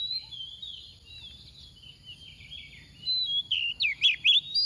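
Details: Oriental magpie-robin decoy singing softly in the 'tìu tíu tiu' manner to excite other magpie-robins: faint, thin whistles at first, then a burst of five or six loud, swooping notes near the end.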